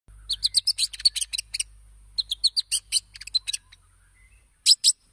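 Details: White-rumped shama song used as a lure to make other birds respond and sing quickly: bursts of rapid, high, sharp chipping notes in two clusters, a short pause, then two loud final chips.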